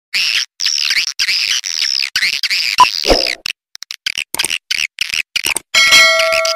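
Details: Edible-nest swiftlet lure sound of the pancawarna style, made to attract swiftlets: rapid, rhythmic chirps in bright bands, repeated many times per second, then broken into choppy, clipped bursts with sharp gaps.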